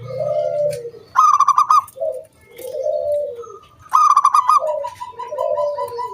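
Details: Zebra dove, a local wild bird in full song, used to coax other doves to sing. Soft wavering coos alternate with two loud, rapidly pulsed bursts, the pattern cycling roughly every three seconds.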